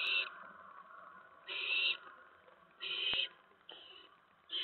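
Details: Nest of owlets at night, September 10, 2017, between 1:55 and 2:04 AM, with a mouse delivered while one still holds a rat; repeated breathy screeching hisses roughly every 1.3 seconds, the last ones shorter.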